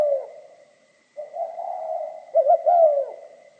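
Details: Spotted dove song in the mixed 'kim' voice style: a fading coo, a pause, then a burring, wavering coo ending in two quick notes and a long falling coo, low-pitched and hoarse.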